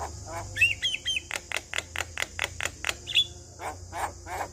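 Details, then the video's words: Male Javan myna song reported to start other Javan mynas singing: short whistled phrases, then an evenly spaced series of loud clicking notes, with a steady high hiss throughout. "Semua Jalak Kebo Balak LAngsung Bunyi Dengar Kicauan Jalak Kebo Jantan Ini"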